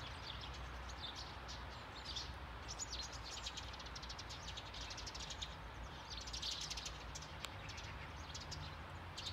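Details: Several Eurasian tree sparrows call from a bush on a lawn in Sundsvall, Sweden, on 9 November 2021, giving short, dry chirps in loose overlapping bursts over a steady low rumble.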